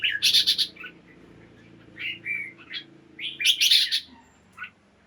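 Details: Red-whiskered bulbul kept in a cage, morning song: loud clusters of sharp chirps alternate with short fluting whistled phrases, two bursts separated by a brief pause.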